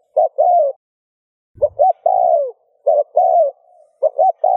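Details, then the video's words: Spotted dove coos meant to spur other doves into cooing. Four repeated phrases of clipped double hoots ending in a long falling coo, with one brief low thump just before the second phrase. "Tiếng cu gáy RÚT BỔI hiệu quả , Chim cu rút bổi bài bản.chim cu gáy . cu gáy thúc gù kích bổi"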